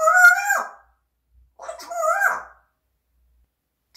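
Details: Pet parrot uttering two loud, drawn-out nasal syllables, each starting high and sliding down at the end, about a second apart, indoors.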